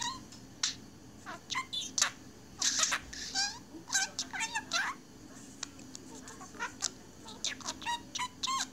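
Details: Pet budgerigar immersed in its own world, chattering nonstop with rapid squeaks, clicks and warbled notes in busy irregular bursts over a faint steady hum.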